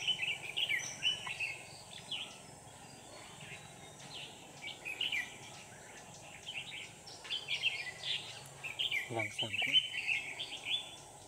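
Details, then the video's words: Red-whiskered bulbul decoy bird in a late-afternoon trapping contest, 24 November 2018: repeated lively chattering warbles throughout, with a brief clicking human noise midway and constant background hiss. "Bẫy chào mào Hàng chiều muộn quá sung"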